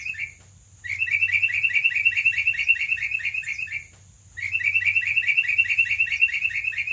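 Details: Long, loud sooty-headed bulbul song meant to lure other bulbuls into singing: two extended bursts of rapid bubbling, chattering whistles, separated by a brief pause near the start and another about four seconds in.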